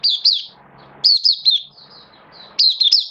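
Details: Oriental white-eye, a caged hobby bird recorded on 11 September 2022: loud bursts of three or four high, bouncing chirped notes, repeated about every second and a half, with soft twitters between them in a quiet room.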